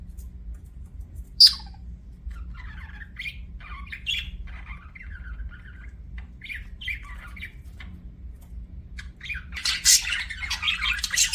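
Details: Pet budgerigars in an aviary: one sharp high squeak, then sparse soft warbling chirps, building to a loud, harsh squawking chatter at the end.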